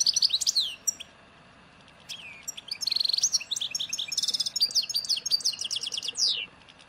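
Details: European goldfinch singing in a local song style of Souk Ahras (Taghast), Algeria, recorded in 1995 and matching birds of Ain Dalia dam, Djnane Bouecha and firmet Djoudi; rapid bright twittering with thin rising and falling whistles and buzzy trills, broken by a short pause.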